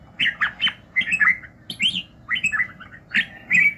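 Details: Red-whiskered bulbul singing in the morning for voice training: short, bright warbled phrases of two or three liquid notes, repeated about every half second with brief pauses between bursts.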